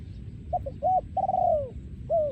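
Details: One song phrase of a breeding male spotted dove, โยนคูอ่าง style, 2023: two brief coos, an arched coo, a drawn-out burred descending note and a last curved coo, over faint low-pitched background noise.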